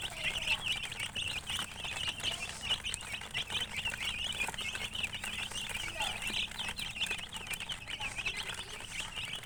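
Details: Baby chickens in a group, chirping continuously: dense overlapping high peeping notes, many chicks calling at once, with light tapping and pattering sounds underneath.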